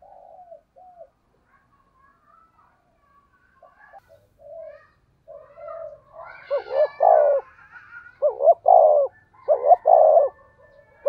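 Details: Spotted dove with a thunder-style voice used as a lure for wild doves. Quiet scattered coos build into three loud phrases of paired short hoots and long descending coos in the second half.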